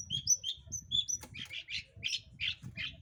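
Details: Long-tailed shrike song, played to provoke other birds into singing: clear high whistled notes, then a run of harsh, buzzy chattering phrases over a steady low rumbling background.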